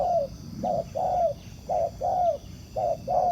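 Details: Spotted dove, a wild bird drawn to a decoy bird set on the ground for trapping, cooing steadily: paired low coos, a brief note then a longer one with a downward slur, cycling roughly every second against faint low noise.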